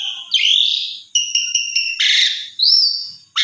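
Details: Asian pied starling song meant to draw a reluctant bird into singing. A rising slurred whistle, then a row of four short clipped double-pitched notes, a harsh burst and another smooth rising whistle.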